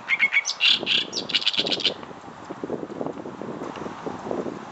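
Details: An Oriental reed warbler (Acrocephalus orientalis), heard but barely seen on the Ōyodo River riverbank in its calling season while chinaberry blooms, gives a quick two-second burst of harsh, grating chattering notes, then low wind-like rumble.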